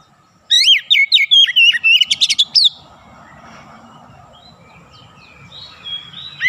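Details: Kacer (Oriental magpie-robin) in ngerol, nembak song style. A single loud run of bright whistled slurs and quick trills lasts about two seconds, then a quiet stretch with a low background hum and a few faint notes at the end.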